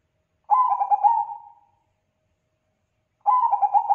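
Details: Bangkok-type zebra dove in full song, calling so that other zebra doves answer: a rolling, bubbly coo of quick stuttered notes trailing into a long hum, then a second phrase starting about three seconds later and cut short.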